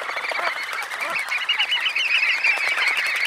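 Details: A large flock of red knots bathing after take-off gives a dense, continuous chatter of overlapping short, mid-high calls with no clear rhythm.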